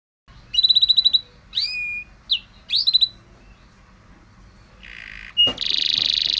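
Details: Champion white canary used as a song tutor, singing ornamented phrases: a fast metallic trill, then short upswept whistles and a buzzy repeated burst, followed by hissing noise and a loud rasping sound at the end.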